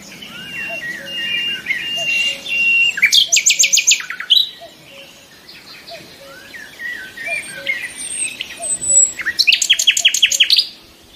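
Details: Nightingales in full song: varied whistles and slurred notes broken by two bursts of rapid, loud, buzzy repeated notes, with soft low piping notes from another bird in the background.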